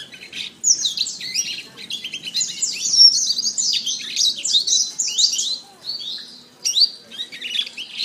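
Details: Canary masteran song, a recording for training other canaries: a continuous, rapid, high warble of sweeping chirps and short trills, nearly unbroken and fluctuating in loudness, with a brief pause before the phrases resume near the end.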